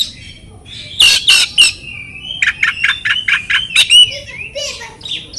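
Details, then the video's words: Oriental magpie-robin song from a training recording used to provoke silent birds: loud harsh rasping notes, then a level whistle and a run of rapid clipped notes, about four per second, ending in softer chatter. "PANCINGAN BURUNG KACER cocok buat kacer bisu kacer macet bunyi kacer stres LANGSUNG NYAUT.!!!"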